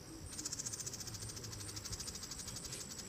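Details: A House Wren gives a fast, dry trill of high, buzzy notes, about twelve a second, held steady for three seconds over a low background hum.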